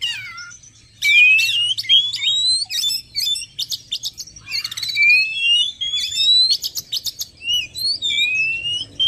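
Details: Oriental magpie-robin song used as a lure for wild birds: after a brief quiet start, a stream of long upward-sliding whistles alternates with raspy chattering bursts and short trills, steady in volume.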